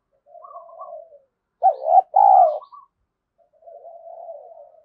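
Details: Spotted dove used as a decoy to spur fighting. A soft, drawn-out coo leads into a loud two-part phrase of low, rounded notes, then another quiet, breathy coo.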